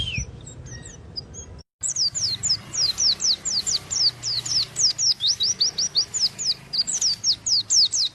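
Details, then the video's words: Oriental white-eye giving a long series of sharp, high, downslurred chirps repeated steadily about two per second after a short quiet start, over a soft low hum. "Burung Pleci cuitannya gacorr"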